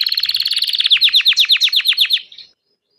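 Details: Painted Belgian canary singing: a fast high buzzy trill that slows into a run of about a dozen steeply falling whistled notes, then stops abruptly.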